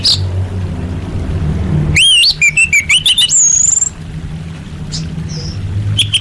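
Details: Orange-headed thrush song used as tutor material for training competition birds: after a low hum, a two-second run of rapid, varied whistled notes, some sharply rising and high, ending in a thin upslurred whistle, then quieter chirps.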